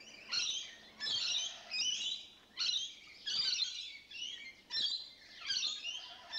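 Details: Several rainbow lorikeets give loud, rasping screeches in bursts of roughly half a second, about one every second, separated by brief quiet gaps.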